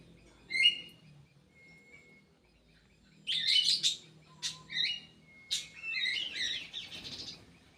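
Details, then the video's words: Captive kidangan kaso kaso in an Indonesian breeding aviary. A sharp chirp comes first, followed by a pause, then a burst of high, warbling, buzzy phrases, a few clipped single notes, and a final tumbling twitter. "BURUNG KIDANGAN KASO KASO"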